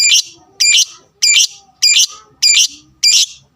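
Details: Fighter sound of a lovebird, used to stir up opponents: six grating, high chirps in an even beat, about one every 0.6 seconds, with brief silence between them.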